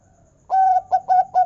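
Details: Local zebra dove (perkutut) song in the big 'kung' voice, played as a lure to prompt other zebra doves to sing: after a short quiet start, one long mellow coo is followed by three shorter, clipped coos at a steady low pitch.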